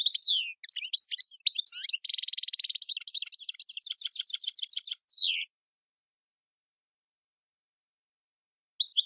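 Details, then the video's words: European goldfinch, tiwawati-style song with motifs mondolin, servati, saw saw, sepla sepla and djiw: quick twitters, a dense buzzy trill, a run of evenly repeated notes and a falling slur, followed by silence. "chant chardonneret tiwawati mondolin servati saw saw sepla sepla djiw"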